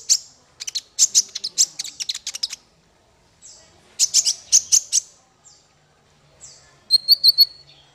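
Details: Male kolibri ninja sunbird song used for training songbirds: bursts of sharp, high chirps in rapid runs, a pause, another burst, then a few thin trilled notes near the end.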